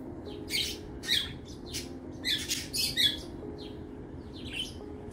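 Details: Budgerigars set outside on a rainy day chatter in quick, scratchy bursts of high chirps and squawks, several overlapping, as a lost budgie joins them; a faint steady hum runs beneath.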